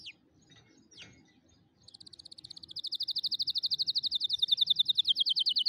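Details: Canary song for teaching canary chicks to sing: two short downward-sliding call notes, then a rapid, even trill of bright high notes starting softly and swelling louder, continuing steadily to the end.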